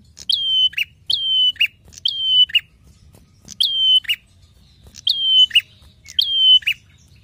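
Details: Lively 'gacor' Prinia song, recorded as a master for training songbirds. Six identical phrases, each a clipped high note sliding into a long flat whistle and closing with a harsh buzz, come in quick succession over a low hum.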